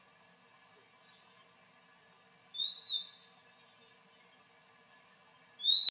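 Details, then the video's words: Puerto Rican flycatcher (Myiarchus antillarum) chick, endemic to Puerto Rico, calls from its tree-hole nest before flying off: thin, very high chips about once a second, broken by longer, lower slurred whistles, against a quiet background. "Cría de Juí vocaliza y abandona el nido"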